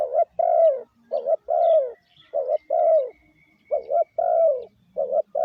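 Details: A spotted dove's lure call for training decoys: rounded cooing notes, a clipped coo followed by a longer downward-sliding one, repeated in regular pairs over a faint thin steady whine.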